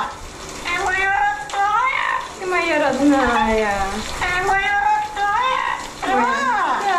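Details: Pet male yellow-naped amazon in New Jersey singing opera in the shower: long tonal harmonic notes sliding up and down, some arching and others falling, in phrases about a second long, with running water behind.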